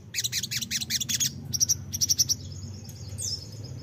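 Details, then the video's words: Lure song of a crimson sunbird (sogok ontong) for drawing a response: a fast run of bright, high chipping notes, then tinny buzzy trills and a thin sustained high whistle with a brief upward sweep near the end. "pancingan ampuh sogon bahan langsung nyautt"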